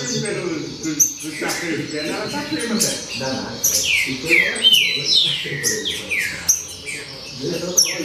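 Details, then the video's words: Lively baderna song from a green-winged saltator: repeated downward-sliding whistled phrases and crisp high accents, roughly two or three per second, over a steady low hum of people talking. "Baderna De Trinca Ferro"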